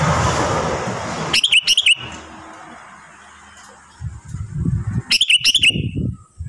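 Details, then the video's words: Sooty-headed bulbul kept at home during the moulting season. It gives two short bursts of quick, bright chirping notes about four seconds apart, after an opening second of broadband rushing noise. "SUARA BURUNG KUTILANG GACOR ||| edisi mabung/ngurak"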